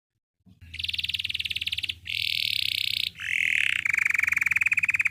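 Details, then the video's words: Belgian canary song: a string of fast, high rattling trills and buzzy rolls, broken by one brief lower rising whistle, over a faint low hum; meant to prompt other canaries to sing. "Belgian canary singing makes your canary sing"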